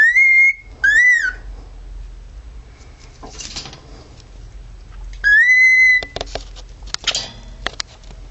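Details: A pet male cockatiel doing a siren impersonation with three pure whistles, the first two close together and rising then falling, the third rising and held, followed by rustling and clicking noises.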